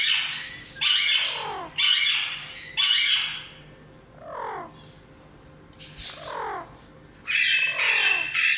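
An Alexandrine parakeet gives loud, harsh screeches and shorter descending squawks in an uneven series.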